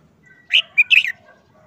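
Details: Moulting caged red-whiskered bulbul, uncovered after more than a month and looking dull, delivers a brief easy phrase: a loud whistled note, a short clear tone, then a fast descending cluster of notes.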